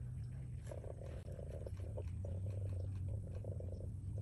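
A sandhill crane gives a low, rolling gurgle in short rattling bursts, several a second, over a deep steady rumble.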